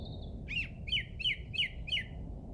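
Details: Wild bird singing at a local golf course in England on Easter Saturday 2007: a thin high note, then a run of five bright, quick chirped phrases about every 0.35 seconds, each dipping and rising, over a low rumble of background noise.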